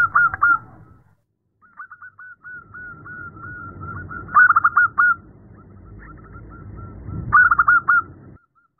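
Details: Female zebra dove calling to a male: bursts of short, clipped cooing notes, then a long steady run of soft rolling notes, with louder stuttered clusters near the middle and the end.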